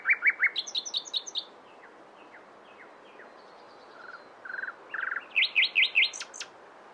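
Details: Rich nightingale song mixing a fast rattle of sharp notes, soft descending clicks, short buzzy trills that strengthen, and a closing burst of loud high chirps.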